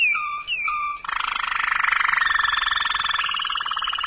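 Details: Malinois canary singing: two clear downslurred whistles, then a long, rapid, bubbling rolled trill held steady for about three seconds, rich and evenly pulsed.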